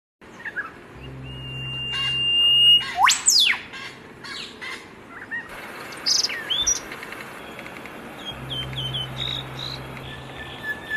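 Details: Zebra finch song: scattered sharp chirps and steep rising and falling whistled sweeps, one loud swept note near the middle, a steady thin high tone early on, and a low hum in the background at times.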